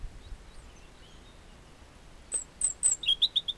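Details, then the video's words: European robin song on a path out of Chamorga, Anaga, Tenerife: faint distant notes early, then a loud phrase of three very high sliding whistles and a run of five quick lower chirps. "Canto Petirrojo"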